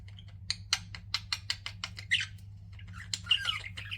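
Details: Pet budgerigars chirping: a quick series of short squeaky chirps and clicks, some squawky warbled notes, and a steady low electrical hum underneath.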